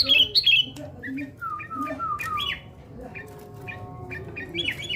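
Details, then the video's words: Sooty-headed bulbul being trained for fighting spirit, giving a varied string of short bubbly whistles, squawky notes and chirps at shifting pitches, with brief sharp clicks, in a small indoor space. "Burung Kutilang mental tarung"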